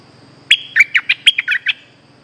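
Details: One lively phrase from a streak-eared bulbul used as a lure for an escaped caged bird: about seven quick, bright, warbled chirps in just over a second, against a soft steady insect hum.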